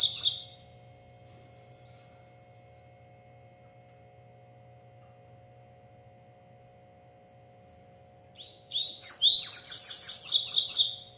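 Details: Singing a lot, a breeder's double-collared seedeater gives a brief chirp, then a long pause with only a low steady hum, and finally a rich, fast, high-pitched twittering phrase of about three seconds.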